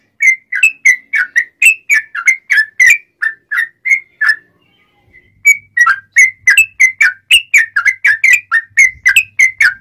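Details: Ngobra-style sooty-headed bulbul song, meant for tutoring and luring wild bulbuls: long runs of bright, liquid whistled notes, briefly interrupted by a pause midway, then resuming at the same brisk pace.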